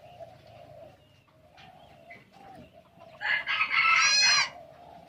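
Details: Red junglefowl from Aceh, crowing: one loud, harsh, broadband crow of about a second, rising in strength and ending in a raspy, wavering tail, over a steady droning insect-like hum.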